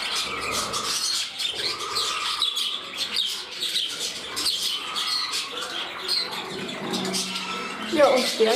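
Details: Indoor budgerigars, one growing feisty over its spot beside another bird: steady rasping chattering warble with repeated short chirps, ending in a louder sharp squeak.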